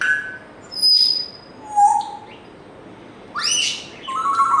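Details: Pet African grey parrot mixing pure whistles at different pitches, one very high, one low and mellow, with harsher rising chirps and a warbled note at the end.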